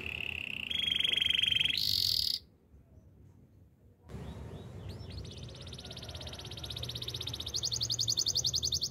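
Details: Canary singing steady rolling trills that step upward in pitch, then a brief pause, followed by a softer return with a few curved notes and a long, rapid, pulsing high roll.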